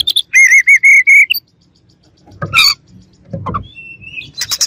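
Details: A white-rumped shama gives a loud run of rhythmic, repeated whistled notes, then quieter chirps and a soft rising whistle with faint background rustling.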